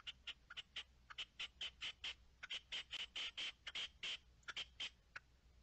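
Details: Partridge call recorded 10 March 2021: a loud, rapid run of harsh, grating notes, about two dozen, repeated several per second, some doubled, against a quiet background.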